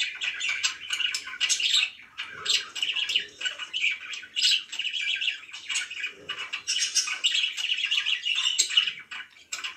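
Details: A stream of budgie chatter: scratchy warbles, clicks and rapid chirps in pet birds, with soft low rustles now and then.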